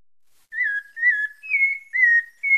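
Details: Pale-breasted thrush from Bahia, Brazil, singing a run of five evenly spaced whistled notes, mostly level with slight wavers, the third and last pitched a little higher.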